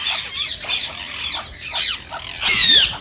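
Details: Rose-ringed parakeet, green Indian ringneck, calling to provoke mating calls: rough, buzzy squawks blending together, ending in one loud, sustained screech.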